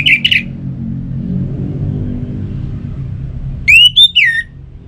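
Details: Orange-headed thrush song meant to get kept birds singing: a short pair of whistled notes at the start, then a quiet gap with low rumble, then a loud rising-and-falling whistled phrase of three notes.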